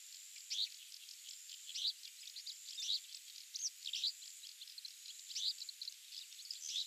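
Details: Australasian pipit, a passage migrant on Yonaguni Island at Agarizaki, Japan, seen each spring and autumn: faint, high chirped notes repeated roughly once a second among softer scratchy twitters, with a steady high hiss behind.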